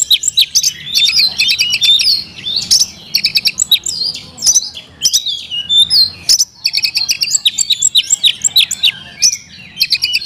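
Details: A kept Oriental magpie-robin sings dense, energetic song: rattling runs of clicking notes alternating with whistled slurs, in bursts of about two seconds.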